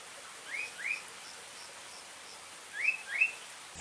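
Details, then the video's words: Sooty-headed bulbul, a common bird, giving two pairs of short upslurred whistled notes, the pairs about two seconds apart, over a quiet hiss. "SUARA BURUNG KUTILANG - BURUNG CANGKURILENG"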